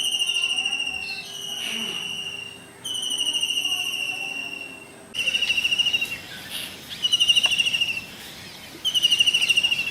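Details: Shrill, high-pitched kingfisher calls from India: quick trains of pulsed whistled notes, about a second long, coming in irregular bursts over steady background hiss, with a faint low hum early on.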